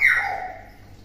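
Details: Tame pet common hill myna, a clever talking bird that imitates many words, gives one short harsh squawk that starts loud and slides downward, then fades over about a second in a quiet room.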